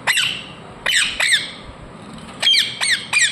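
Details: Harsh, piercing screeches of a ringneck parrot, each falling steeply, with two clusters of three calls and a short pause between them.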